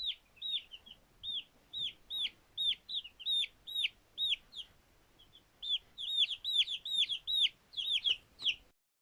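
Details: Newly hatched chicks, two days old, peep busily while playing. The shrill, downward-curving notes repeat more than twice a second in uneven runs, with a quieter gap midway and a short pause at the very end.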